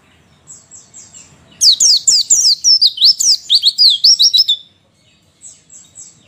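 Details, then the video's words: White-eye female call for prompting males to sing quickly: soft distant chirps, then a loud rapid run of high, sliding twitters for about three seconds, fading to faint chirps. "masteran pleci malas bunyi akan langsung respon dan emosi"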